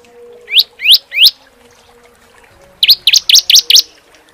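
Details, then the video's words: Bar-winged prinia, used as a master recording to train songbirds, in the 'tembakan AK-47' style: three loud rising slurred whistles, a short pause, then five quicker sharp rising notes, over a faint steady low hum. "masteran CIBLEK SEMI ( CISEM) TEMBAKAN AK-47 ngeclak rapat panjang"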